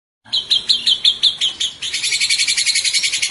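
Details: White-rumped shama song used to train other birds: a series of about eight sharp ringing notes, then a fast, even rattling trill.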